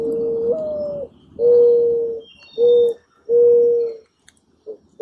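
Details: Mourning dove cooing: a long low coo that steps upward midway, then three steady hollow coos of falling length, spaced about a second apart, over a soft background hum.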